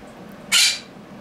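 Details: Pet quaker parrot indoors giving one short, harsh, rasping screech against a quiet room.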